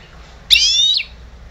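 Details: Trained goldfinch hybrid (mixto jilguero) from 2011, a caged singing bird: a single half-second burst of bright, stacked, slightly descending whistled notes, clean against a quiet low hum.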